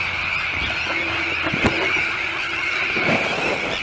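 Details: A Sandwich tern colony with chicks on a newly built shell island at De Putten, Netherlands, keeps up a shrill, rasping clamour, with a sudden sharp crack partway through and a short louder burst near the end.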